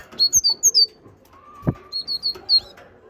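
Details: Great tit in strong song: a fast series of five bright, high whistled notes, a single soft click, then another run of four similar ringing notes.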